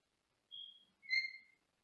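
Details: Two soft high whistles from a caged pet Senegal parrot heard from another room: a thin, slightly higher first note, then a fuller, louder second note that fades out.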